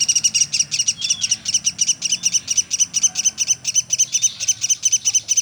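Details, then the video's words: Woodpecker locally named pelatuk sampit calling continuously: short bursts of sharp, high chips repeated about twice a second. "Burung Platuk sampit dasyat bunyi nonstop"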